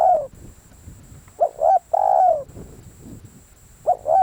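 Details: Spotted dove used for decoy calling: a falling croon, then a full phrase of two short rising hoots and a long downslurred coo, and a new phrase beginning, over murmuring low background noise.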